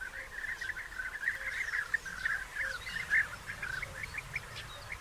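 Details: European bee-eaters around their nest burrows in early June 2021, as digging continues alongside courtship gifts and mating; many birds give rolling, liquid 'prrip' notes in a busy, uneven stream, several close calls standing out above the rest.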